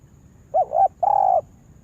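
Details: Decoy spotted dove trained to lure others to a yard trap gives a single phrase: a quick warbled two-part note, brief pause, then a drawn-out smooth coo that falls slightly at the end; background otherwise quiet.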